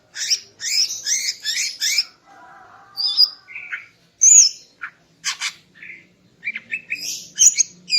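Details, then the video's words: Greater green leafbird female singing in the morning to arouse a male: a quick run of paired high chirps, a low buzzing stretch, then scattered whistles and chattering notes. "Kicau Burung Cucak Ijo Betina Pagi Hari untuk Naikkan Birahi Cucak Ijo Jantan"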